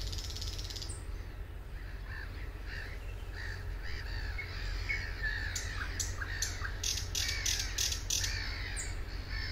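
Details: Thrush nightingale song at Suomenoja, Finland, 2022: harsh, rattling phrases and dry clicks, then sharp, loud knocking notes repeated rapidly, over a steady low rumble.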